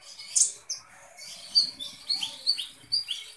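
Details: Energetic sunbird song from a kolibri ninja: thin, very high chirps and short sliding whistles, spaced unevenly and coming quicker toward the end, with no other clear sounds.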